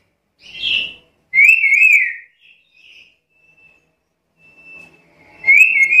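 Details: Black-capped lory calling actively, offered as lure and tutor sound for other birds: a short burst of high whistling, then a longer wavering whistle, soft faint notes, and another wavering whistle near the end, in a quiet setting.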